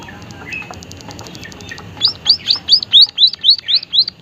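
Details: White-headed munia, described as lively with an unusual voice: faint rapid high ticking, then about nine loud, thin, high notes, each sharply rising then dropping, repeated roughly four times a second.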